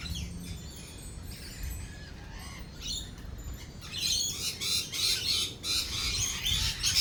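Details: Lorikeets during a thunderstorm with rolling thunder: softer scattered chirps at first, then a loud rapid run of shrill screeching chatter for the last three seconds, over low rumbling.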